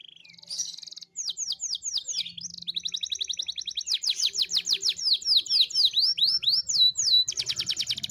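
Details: Canary in vigorous song: fast runs of bright, descending whistled sweeps, then rapid rolling trills and buzzy repeated notes that build in loudness, with a brief pause near the start and a faint low hum underneath.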